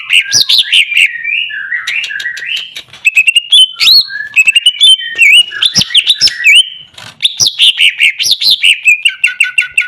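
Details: Greater green leafbird in full song, mixing rapid chirps, warbled whistles and sliding notes in dense, busy phrases that run almost without pause.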